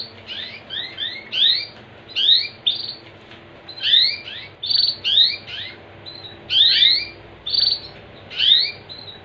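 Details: Canary song used to prompt other canaries to sing: bursts of high, fast rising whistled sweeps and trills, grouped in short phrases repeated every second or so over a faint low hum.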